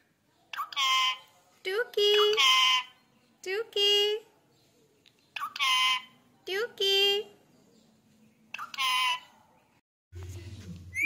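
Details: Male Indian ringneck parrot talking indoors: several short, nasal, speech-like phrases with a harsh, buzzy tone, spaced a second or two apart, ending in a low electric buzz.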